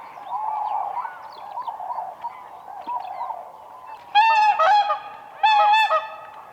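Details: Whooper swans on spring ice, dancing; softer distant honks from the flock, then two loud paired bugling calls close by near the end.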